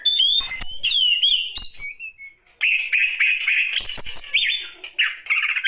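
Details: Aged Oriental magpie-robin song: sharp chirps and upward-sliding whistles, a short silence, then a sustained run of rapid warbling notes.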